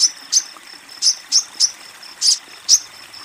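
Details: Female Crimson Sunbird calling a male with sparse, irregular, piercing high ticks, about nine in a few seconds, separated by short pauses.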